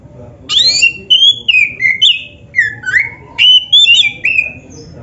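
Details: Oriental magpie-robin, black-breasted form, in lively 'gacor' song played to coax caged birds into singing: loud whistled phrases sliding down and up, rich slurred notes in quick bursts about twice a second, over a faint low hum.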